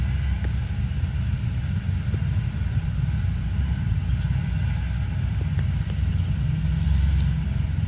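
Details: Loud, continuous low engine rumble, like a car or vehicle nearby, with a few faint clicks and no animal voices.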